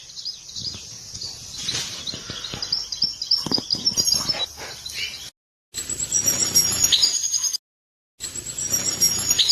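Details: Mating song of a European goldfinch, a song after which the female adopts the mating posture; high twittering over clicking and rustling noises, then clearer sustained thin trills between two silent gaps.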